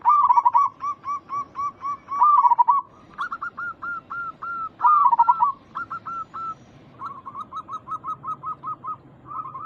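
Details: Local zebra doves cooing as a lure to draw replies: strings of brief hooked notes broken by three loud, bubbling, rolled coo phrases, with a quieter repeated note series at the end.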